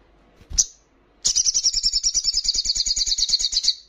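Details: Little spiderhunter female calling the male during breeding readiness: after a single sharp high note, a sustained high trill of about ten quick, evenly pulsed notes per second runs for over two seconds.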